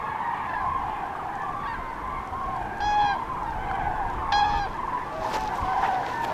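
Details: Common cranes on spring migration over central France, 5 March 2016, afternoon, many groups scattered by bad weather: loud, rolling trumpet calls, two standing out clearly, over a constant murmur of many more cranes calling in the distance.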